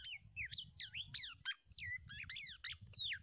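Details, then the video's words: Black-naped oriole parent defending a chick from an attacking male; dense burst of squeaky, downward-slurred whistles and chirps, a dozen notes in three seconds, over low rumbling noise. "Induknya Melindungi Bayinya Dari Serangan Burung Jantan"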